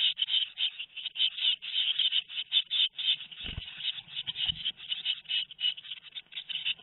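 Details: Continuous high-pitched, scratchy chirping from two-week-old tit nestlings at Théding, May 13, 2019, pulsing fast and overlapping, with two brief low thumps midway.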